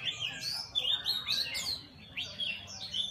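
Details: Red-whiskered bulbul singing: short, bright whistled phrases that rise and fall, several quick notes in each burst with brief pauses between, plus softer chirps from other birds and low background rumble.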